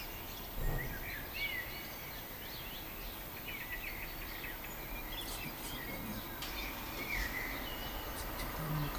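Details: A common blackbird singing in a way described as heartbreakingly beautiful: faint, fluted whistled phrases recur through the clip, partly masked by steady broadband background noise.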